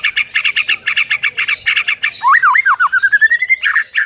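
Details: White-rumped shama song used as a morning lure to train a silent bird to sing: rows of harsh, rapid chattering notes, then looping slurred whistles falling and rising, and a quick rising series of short notes.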